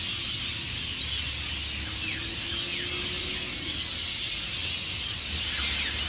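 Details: A roaring, high chorus of screeches from hundreds of rainbow lorikeets departing their roost trees along Burleigh Heads Beach, Queensland, before sunrise, with occasional downslurred squeals and a faint low hum.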